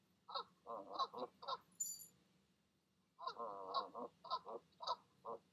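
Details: Evening calls of a goose pair coaxing goslings down from the nest, two bursts of short nasal honks and grunts, about five quick notes each, separated by a pause, with a faint high squeak.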